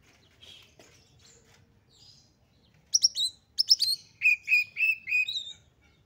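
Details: Highly excited Oriental magpie-robin, used to get other magpie-robins singing; after a quiet faint start comes a burst of sharp chirps followed by four evenly spaced clear whistles and a final high note.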